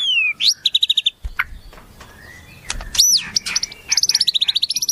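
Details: White-rumped shama (murai) training song filled with wild-bird phrases: a falling whistle, a rapid run of sharp repeated notes, scattered chips and a high arching whistle, ending in a long fast series of ringing notes; soft low thumps midway.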